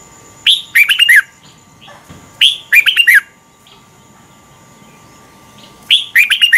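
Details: Morning song of a Red-whiskered bulbul used for training, with three short phrases of loud, clear whistled and chirped notes sliding downward, spaced roughly two and a half seconds apart, and a faint steady hum behind.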